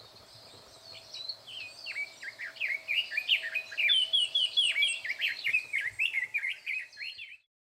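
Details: Red-billed leiothrix singing loudly from cover in bushes, May 2024; after a quiet start, a long rapid cascade of bright whistled, chattering notes swells in volume, then stops abruptly.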